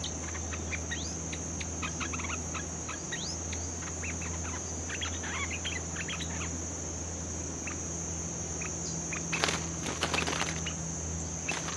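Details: A bulbul, newly caught and under training, pours out scattered quick chirps and slurred notes for several seconds, then a loud rustling burst near the end, with a steady high tone and low hum beneath.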